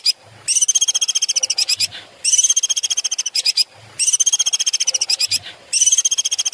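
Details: Long-tailed shrike song used as a master recording for training songbirds: very high, rapid buzzy trills in bursts of about one second, separated by short pauses, with brief low thuds between bursts.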